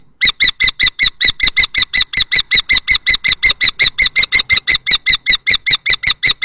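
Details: Nest-box fight between two male common kestrels at Théding, 20 March 2024, the older adult male driving off a juvenile-plumaged male; a long unbroken series of shrill, harsh kee notes repeated rapidly and steadily, echoing inside the box.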